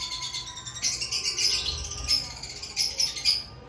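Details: Lovebirds before breeding season, giving shrill, high chirps in short bursts with brief pauses, plus faint low background hum.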